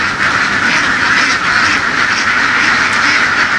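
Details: A herded flock of egg-laying ducks out in the fields of western Vietnam, their nasal quacking merging into one steady, crowded chorus throughout.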